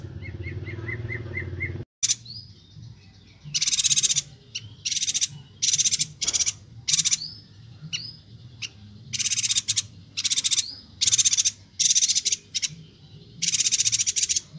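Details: Bornean yuhina (Perenjak Batu) in full, lively song, recorded for tutoring songbirds, giving bursts of very high, dry, buzzy twittering about half a second long, with brief thin whistles between; a short hum and faint piping come first.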